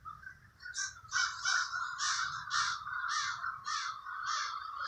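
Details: Crows calling in Trenton's Villa Park neighborhood, New Jersey: a run of separate hoarse caws, about eight in under four seconds, over a steady lower chatter and faint low rumble.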